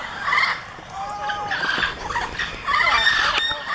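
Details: Several Amazon parrots, kept as pets, riled up by another parrot in a travel cage: harsh overlapping squawks and chattering calls with a few short whistled notes, in loud bursts with a brief lull near the first second.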